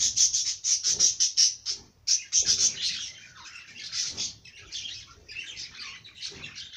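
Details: Bird song of fast, even series of piercing high chirps, broken by a short pause, then blending into softer, warbled twittering.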